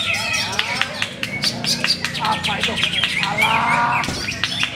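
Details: Greater green leafbird with many competition wins: a busy, varied warble of sharp chirps, clicks and quick slurred notes, with a buzzy chattering run near the end and faint voices behind.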